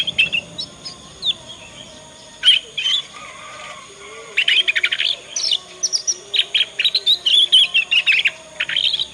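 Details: Juvenile Yorkshire canary practising ngriwik song, meant as a master lure for other canaries; scattered high chirps give way to a long run of quick, sharp repeated notes in uneven series.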